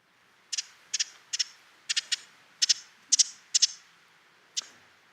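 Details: Ruby-crowned Kinglet winter call, used as both a flock contact call and an alarm: dry, high, clicking 'chit' notes, mostly in quick doubled pairs, repeated about every half second over a quiet background.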